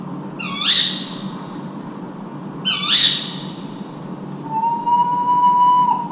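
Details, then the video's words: A tawny owl in spring, recorded at 4 a.m. on 14 April in a city nature park in Vannes, Brittany, gives two harsh, squawky calls about two seconds apart, then a long, steady hooted note over a low hum of city noise. "CHOUETTE Hulotte/Printemps/Chants"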